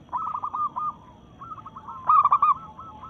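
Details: Local-strain zebra dove singing hard in breeding mood to challenge rivals: bubbly cooing phrases of rapid, throaty notes, a loud burst near the end, with softer trailing coos from other doves behind.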